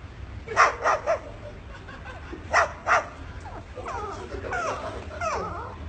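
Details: Parrot mimicking a dog: a quick run of three barks, a pause, then two more, followed by rapid squeaky, warbling chirps in the final two seconds.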